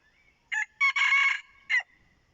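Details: Red junglefowl rooster used as a decoy, giving one loud crow: a short opening note, a rising second note, a long strained middle syllable, then a clipped falling final note, in a quiet setting.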